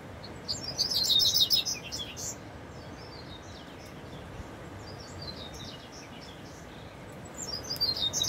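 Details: Double-collared seedeater in the bush: a loud, fast, high twittering phrase at the start, a long stretch of quieter scattered notes and background noise, then another rising burst at the end.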